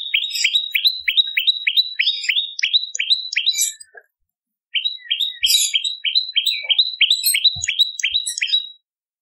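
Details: Bar-winged prinia lure song for attracting birds and tutoring magpie-robins: two long runs of rapid, ringing upslurred chips, around three per second, separated by a pause.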